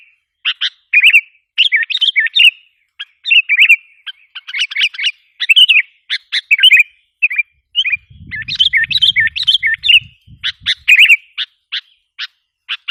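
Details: Long lure sequence from a sooty-headed bulbul aimed at provoking wild bulbuls: dense runs of chirpy, bubbling phrases and scratchy notes, nearly continuous, with a brief low rumble partway through.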